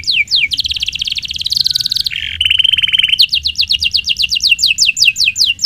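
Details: Canary in long rolling song for training magpie robins: a few falling notes, a buzzy high trill, a lower harsh rattle, then evenly spaced descending whistled notes.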